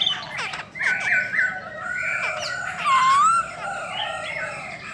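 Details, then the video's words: Female Chinese hwamei, a bird said to rouse males strongly, singing in the 'bắt cô trớt cột' style with wing and tail display; long, level whistled phrases end in a loud, clear, rising and falling note. "KHƯỚU DA BÒ MÁI SIÊU KÍCH TRỐNG"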